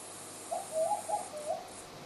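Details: Bar-shouldered Dove at Kobble Creek, December 2011, gives a mellow, low cooing phrase of a few soft notes lasting about a second, over faint background hiss.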